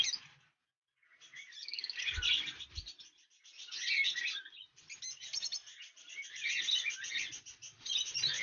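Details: A lovebird breeding colony, kept with cockatiels in the 2020 season, produces a near-continuous, busy, high chattering of many overlapping shrill notes after a brief pause.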